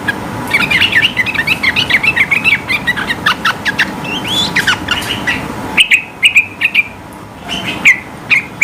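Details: Energetic high-pitched bulbul song meant to goad rival birds into answering: a long busy stream of bubbly chirps, squeaky whistles and quick trills, cutting suddenly to spaced, sharp repeated notes over a quieter background.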